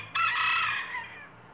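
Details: Rooster among chickens, a single hoarse, drawn-out crow lasting under a second that fades gradually, with a faint low hum behind it.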